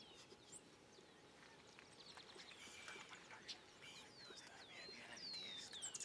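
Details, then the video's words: Collared Warbling-Finch (Poospiza hispaniolensis) in Peru gives a quiet run of thin, high, slurred whistles and chips, the sweeping notes growing clearer toward the end over a steady hiss. "Collared Warbling-Finch (Poospiza hispaniolensis)"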